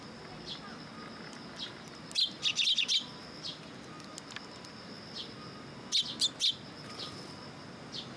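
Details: Sparrows arriving first thing in the morning to be fed at a Tenmangu shrine on 18 September 2022; bright, sharp chirps come in two quick clusters, one near the start and one later, over a quiet, steady background hum.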